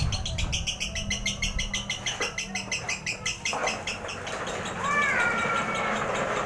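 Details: Lovebird lure recording with a long, relaxed chattering run of quick chirps, roughly three per second, then a short harmonic whistled phrase that slides upward before the clip ends.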